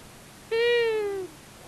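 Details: Male and female long-eared owls at a common buzzard nest, Tiszavasvári, Hungary, March 23, 2022, on a live nest cam: a single plaintive, nasal call held for about three quarters of a second and gently dropping in pitch.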